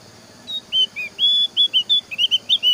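Javan grey-throated white-eye giving a quick run of high, clear whistled notes, some slurred up or down, about four per second, over faint low hiss.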